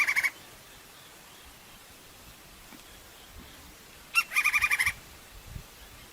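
Crimson-crested woodpecker giving quick bursts of sharp, nasal notes: a brief opening burst, then about seven rapid notes in under a second, with quiet between.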